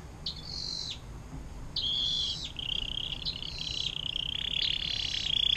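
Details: Canary in long water-fountain style song, kept to tutor other cage birds: quieter high buzzy phrases and rolling trills repeated over a noisy background hum.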